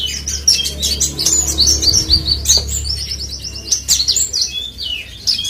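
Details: Branjangan, the parva form of Horsfield's bush lark from West Nusa Tenggara, Indonesia, singing a fast continuous stream of high chirps, slurred whistles and twittering notes over a steady low hum.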